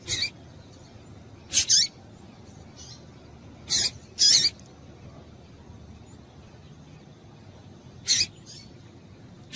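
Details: High, sharp chips from a female Double-collared seedeater, a call used to excite males: about six loud notes, some doubled, spaced unevenly across ten seconds, with a couple of fainter notes in a quiet background.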